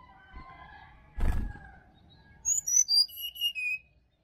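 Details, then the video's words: Sirdadu song recorded in Bali forest, used in the morning to prompt a quiet caged bird to sing: a soft low warble, a sharp thud, then a run of five loud, high, clear whistled notes, each falling in pitch. "SUARA ASLI HUTAN SRDC BALI COCOK UNTUK PANCINGAN DI PAGI HARI SRDC MALAS BUNYI"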